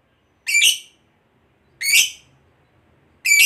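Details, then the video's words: Lovebird, fighter type, uttering three loud, harsh, shrill squawks, each under half a second, spaced roughly one and a half seconds apart with silence between. "Suara Lovebird Ngekek Panjang Ini AMPUH Buat Pancing Emosi Labet"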